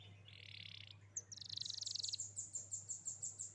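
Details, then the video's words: A young canary singing as a prompt for a canary that has stopped singing: a soft buzzy rasp, then a dense rapid trill, then evenly paced high pulsing chirps about five per second, over a steady low hum. "Kenari Muda Angkat Gacor|| Pancingan Untuk Kenari Macet Bunyi Agar Cepat Berkicau"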